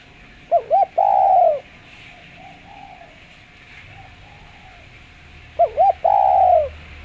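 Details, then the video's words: Spotted dove lure call, clear voice: two quick looping notes leading into a long level coo that fades down, softer faint coos in between, then the same phrase repeated about five seconds later. "Derkuku suara jernih buat pancingan"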